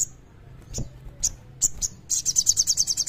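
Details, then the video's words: Common iora song, an energetic clear song played as a lure to get less active birds singing: a few sharp high chirps, then a fast run of evenly spaced high piercing notes at the end. "Suara Sogon Gacor Kleper Jernih Bagus Buat Pancingan Burung Kurang Gacor"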